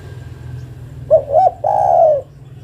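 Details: A single call from a female spotted dove summoning the male: two short upward-inflected hoots, then one sustained coo that slowly falls in pitch, against a faint low hum.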